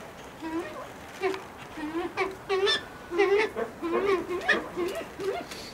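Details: Brown eared pheasant, Crossoptilon mantchuricum, kept at a pheasant breeding farm, giving a run of short, nasal, harmonic calls that rise and fall, repeated irregularly about every half second to one second at a steady mid pitch.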